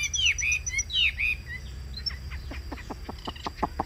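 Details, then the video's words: Singing Chinese hwamei, kept as a cage bird: loud bright whistles that drop in pitch, given in pairs, then a rapid run of sharp clicking notes. "Cao cầu hót tốt - bóng bộ cực đẹp - Họat Họa Mi"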